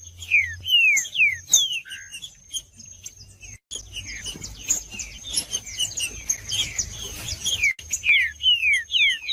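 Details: Green-winged saltator warm-up song for stimulating birds to sing: clear descending whistles in quick series at start and end, a busy middle of overlapping chirps and twittering, and a constant high-pitched whine underneath.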